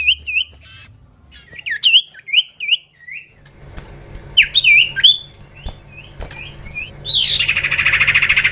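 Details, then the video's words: Common iora song variations: wavering whistled notes repeated several times, then a noisier stretch with scattered slurred whistles and clicks, closing on a loud harsh rasping burst. "VARIASI TERBAIK SIULAN BURUNG SIRTU/CIPOH VERSI OCEHAN CIPOW"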